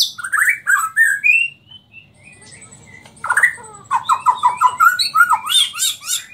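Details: Murai Borneo, white-rumped shama, Samarinda, giving nyangkul and roll tembak style song: loud slurred whistles, a short lull, then a rapid series of downward-swept notes and harsh high chatter.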